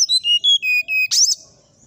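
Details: Brown-chested jungle flycatcher in the morning: five or six loud, pure whistled notes, each lower than the last, closed by a harsh, buzzy rising note.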